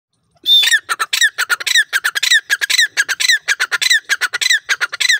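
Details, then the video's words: A francolin, called a pheasant in the source, recorded in its natural environment, gives a loud, harsh, rattling series of squawky notes, about four per second, held steady for several seconds with no other sounds. "pheasant bird beautiful voice sound"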